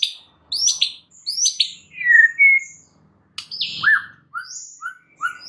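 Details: White-rumped shama in a lively training recording meant to get other caged shamas singing: varied clear whistled phrases, some sweeping down, some rising, with short slurred notes and high thin whistles between pauses.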